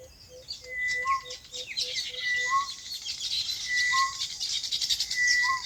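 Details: A farm's birds in natural habitat: a run of soft low pips opens, then long level whistles, each followed by a lower slurred note, repeat over a chattering chorus.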